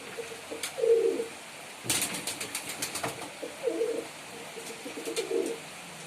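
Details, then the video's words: Male pigeon performing indoors, low rolling coos near the start and again later, interrupted by a run of rapid rhythmic tapping or wing-flapping noises. "Pigeon Sound Effect || Male Pigeon Super Performance || Pigeon Sound"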